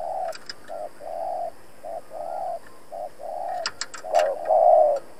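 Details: Decoy spotted dove kept for trapping, giving rapid challenging coos to provoke wild rivals: a series of low, hollow coo notes in short and longer bursts, ending in a louder rougher phrase, with sharp clicks and taps around.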